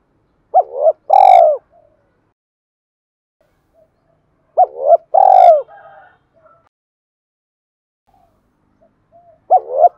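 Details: Decoy spotted dove in Dong Nai calling to provoke wild doves. Repeated cooing phrases about every four seconds: a quick looping note followed by a long, buzzy, falling coo. Faint soft notes sit between them.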